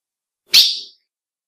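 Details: Female ultramarine grosbeak call, said to excite males: a single short, sharp, high chip that fades quickly, in silence.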